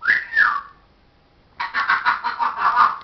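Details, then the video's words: A parrot gives two whistled, voice-like notes that slide downward, falls silent briefly, then chatters in a rapid pulsing run of loud speech-like syllables. "parrots says hello darling show us your"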